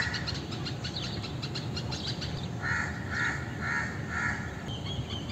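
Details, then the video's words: High chirps and twitters from other birds, then an Indian crow gives four rasping caws in steady succession, roughly half a second apart, over low rumbling background noise. "Indian Crow Sound"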